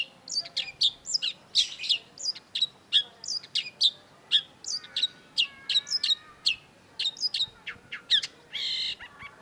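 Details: Long-tailed shrike (cendet) in lively song as a lure for a silent bird: a long, dense stream of sharp high notes and quick chips, varied and almost continuous, ending in a brief buzzy burst.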